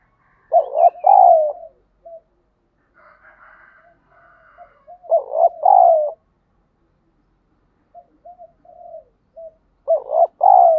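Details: Spotted dove used to provoke fighting and stimulate decoy birds in daily training: low, hoarse, rolling coo phrases of two or three notes, repeated about every five seconds, with softer short coos and faint murmurs between.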